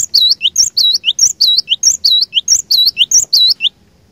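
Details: Decoy gelatik batu (cinereous tit) in steady, vigorous song meant to challenge other birds: about a dozen high, clear two-part whistles in quick even succession, then silence.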